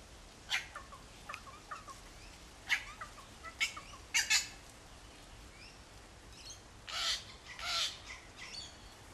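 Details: Wattlebirds near their backyard nest harassing a Kookaburra; sharp grating calls and clicks early on, then longer, louder raspy squawks toward the end, with light whistles in the background.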